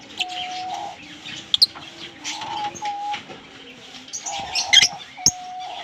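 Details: Singing green Fischer's lovebird pair: scattered sharp high chirps and a squealing cluster near the end, over repeated level whistled tones and faint chatter.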